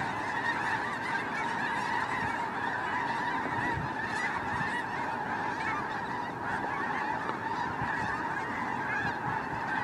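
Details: Migrating snow geese in a vast flock seen from a drone, giving a steady wall of overlapping honks and yelps, dense and continuous throughout, with a few brief low thumps.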